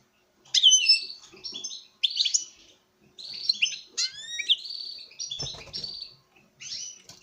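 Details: Captive male European goldfinch singing to a female during breeding: a fast, tinkling run of twittered and buzzy notes with rising slurred whistles, near-continuous for about six seconds, plus a brief clatter of cage movement.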